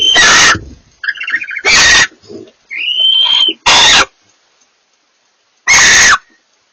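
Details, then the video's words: Two barn owls communicating: four loud, harsh, hissing screeches spaced irregularly, with a rising thin whistled note and soft chattering between them. "A pair of barn owls communicate"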